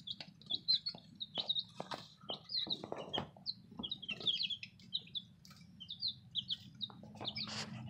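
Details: Baby chicks that came in today cheeping constantly, a dense overlapping stream of high, short peeps with some sharp clicks over a low background hum.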